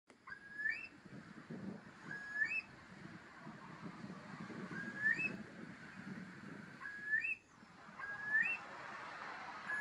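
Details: Eurasian curlews, wild, in Lower Bavaria, Deggendorf district, Germany: a species critically endangered on the Bavarian Red List. Repeated whistled calls, each a level note swinging up at the end, about every two seconds, with low rumbling background noise.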